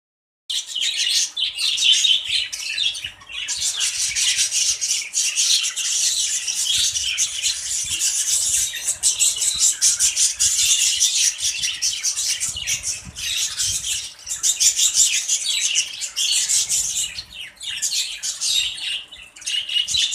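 A group of budgerigars chatters nonstop in scratchy, high-pitched chirps and warbles.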